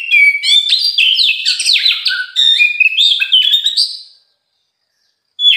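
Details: Oriental magpie-robin song, morning, afternoon and night: a rich, fast warble of rising and falling whistled notes running for about four seconds, then silence and a final short phrase.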